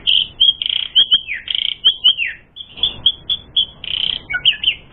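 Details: An Asian pied starling sings persistently in a recording used to lure starlings into fighting, a quick sequence of clear whistled notes and short trills with brief gaps, ending in lower descending chirps.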